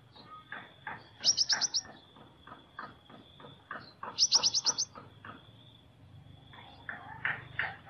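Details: Sunbird singing in an unusual voice: two bursts of rapid, very high, glittering trilled notes stand out above a run of dull, broadband clicking or tapping sounds, with a steady thin high tone throughout.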